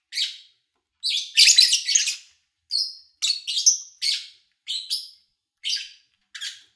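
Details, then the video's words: Lovebirds recorded in August 2019 from morning to evening, edited to keep only bird chirps; a noisy cluster of shrill squeaky notes, then a steady string of short high chirps about every half second. "Sounds of Lovebird Chirping"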